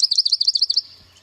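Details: A Swamp Sparrow sings from low wetland habitat: a fast, even, liquid trill of about a dozen clear, high notes in under a second, then stops. A faint low hum sounds in the background.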